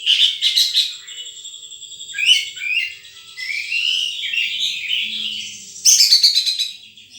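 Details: Wild sunbird calling: high, sharp chirps and thin twittering notes, some rising and falling, with brief buzzy trilled bursts near the start and end; otherwise quiet background.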